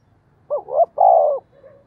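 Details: Decoy spotted dove cooing to provoke wild doves: a rising doubled hoot, then a long, rich, vibrating coo ending with a drop, followed by a soft fading murmur.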